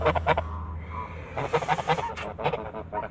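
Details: Short, rasping honks from backyard Toulouse geese, a few quick nasal calls, a brief steadier tone near one second, then another flurry of clipped honks over a low hum.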